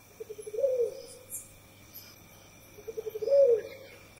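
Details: A Southern White-faced Owl in Southern Africa gives two low, stuttering hoots, each a quick bubbling run of notes ending in a drawn-out hoo, about two and a half seconds apart, over faint insect hum.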